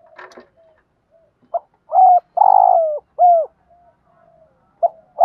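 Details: Decoy spotted dove cooing in the morning to attract wild birds; after some rustling, one loud phrase of a short note, a long buzzy coo and a dropping end note, then soft coos resume.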